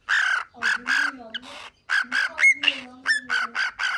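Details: Pet cockatiel imitating words, giving a string of loud, nasal, evenly pitched syllables with a quick rising whistle near the middle. A low human voice hums along beneath.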